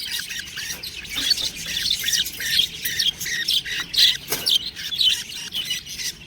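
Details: Young budgerigars giving a steady stream of shrill chirps and squeaky warbling notes, roughly two per second, several voices mixed together with one sharp louder note near the middle.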